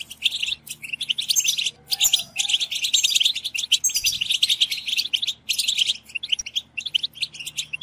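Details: Several European goldfinches sing together, a collective song used to stimulate goldfinches to sing: a dense, continuous chorus of bright twittering, liquid trills and tinkling notes, almost without pause.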